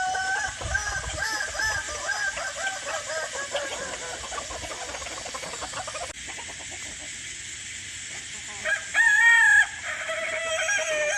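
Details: Crow of a domestic Kukuak Balenggek chicken: a long run of rapid, rolling, stepped syllables lasting about six seconds, then a pause and a louder short burst of calling near the end.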